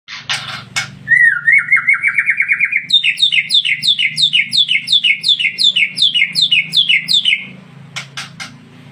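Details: White-rumped shama from Tangse, Aceh, singing: a rising series of rapid repeated whistled notes, then a long run of loud, evenly spaced descending whistled phrases, with harsh burst notes at the start and end.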